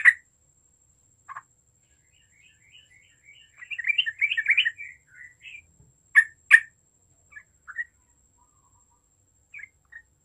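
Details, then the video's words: Lively 'gacor' yellow-vented bulbuls (trucuk) in a group ('ombyokan') song recording used to coax birds into singing: a bubbly, chattering run of mid-pitched notes mid-clip, with scattered short calls and a few sharp clicks. "TRUCUK GACOR AMPUH UNTUK EMANCING BUNYI TRUCUKAN OMBYOKAN"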